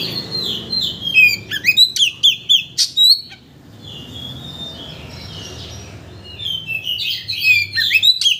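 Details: Oriental magpie-robin singing as a provocation lure to make another bird show its full range of learned phrases; fast whistled and clicking notes for three seconds, a quiet stretch, then renewed chattering phrases.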